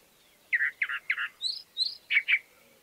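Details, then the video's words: Chalk-browed mockingbird singing: three buzzy, chattering notes, then two high, rising slurred whistles, then a pair of sharp chirps, each phrase separated by a brief pause. "Calandria Grande Canto - Calandria Grande - Chalk-browed Mockingbird Bird Song - Mimus Saturninus"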